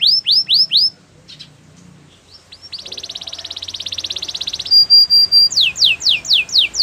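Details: Canary song in a training recording: rapid rising whistled notes around four kilohertz, then a fast buzzy trill of repeated units for two seconds, a steady high tone, and a run of descending sweeping notes.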